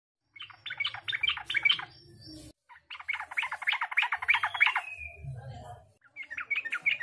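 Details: Yellow-vented bulbul lure for warming up birds: three bursts of rapid, bubbly, chattering notes, bright and mid-high, separated by short pauses, with a faint low hum behind.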